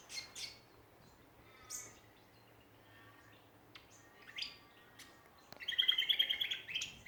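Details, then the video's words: Australian songbirds in a backyard in Ballajura, Western Australia: scattered high chirps and short notes, then a fast run of bright repeated notes near the end. "Australian songbirds in backyard."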